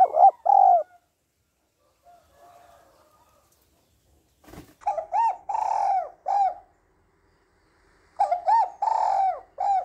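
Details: Female spotted dove calling to stimulate the male, repeating short groups of three to four mellow, harmonic coo notes, one quiet soft phrase in between, and a brief thump or flutter near the middle.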